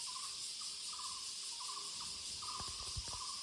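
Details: Muller's barbet in the woods giving quick, low, pulsed rattling notes in close succession, with a steady high insect buzz and a few soft knocks near the end.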